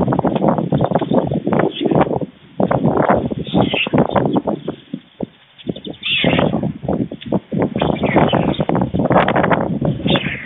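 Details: Two white stork nestlings at a nest in Fohrde, Germany, being fed lunch by the adult male at midday on 16 July 2019, shortly before fledging: dense bursts of rapid, rattling, broadband pulses with brief pauses, plus faint high chirps from other birds.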